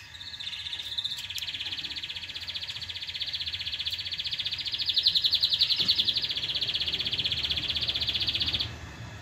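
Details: Canary trilling to stimulate mating and as a model for young birds: one long, fast, even roll of pulsed notes, swelling slightly in the middle and stopping abruptly near the end.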